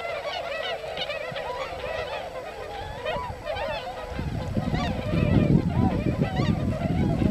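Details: Wintering tundra swan flock in the paddy fields of Yasugi, Shimane Prefecture, Japan; continuous babble of shrill, wavering honks from many birds, with a low rumble of wind or traffic rising in the second half.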